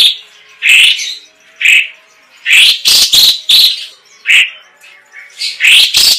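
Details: Chinese hwamei delivering a long, rolling, sharp-shot style of song used as training material: loud, clear whistled phrases, some slurred and some sharply cut, separated by short pauses.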